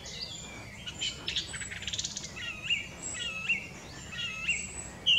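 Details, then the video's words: A song thrush sings a quick scratchy twitter, then a clear, slurred whistled phrase repeated three times about a second apart, over a faint outdoor hiss. "Song thrush"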